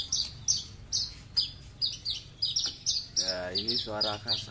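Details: Horsfield's bushlark of the aliena type from Papua, a kept bird, singing a loud song with no bass that resembles a Bali or Mataram leci. Sharp high chirps repeat rapidly in bursts, with a man's voice talking over the final second.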